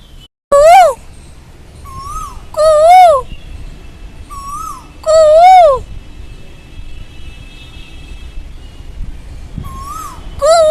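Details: Asian koel, presented as a pet companion, giving loud rising-falling 'kuuu' calls in harmonic-rich swoops, repeated in pairs with softer echoing notes between them, over a low steady background hum.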